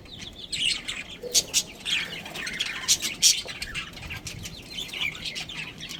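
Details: Budgerigars in a colony that includes a breeding pair, softer chattering with a few sharper high chirps standing out between one and three and a half seconds, then quieter twittering.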